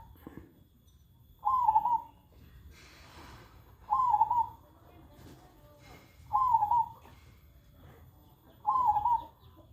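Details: Tame zebra dove that coos all day and does not fear people. Four rippling, warbled coos come at a steady pace about every two and a half seconds, with a brief hiss of background noise between the first two.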